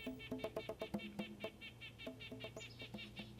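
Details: Male Red-breasted Nuthatch in the northeastern US singing non-stop, to defend a territory or attract a mate: a fast run of nasal, tinny 'ank' notes, about four a second, over a low steady hum.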